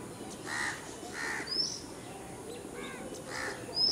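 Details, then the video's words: House crow giving its Type 2 call: three loud, harsh, hoarse caws spaced under a second apart, then a short pause before a final caw. Another bird adds thin, high, rising chirps over a faint background hiss. "House Crow Call with Spectrogram | Bengali Name পাতি কাক | Bird Song 58 | Type 2"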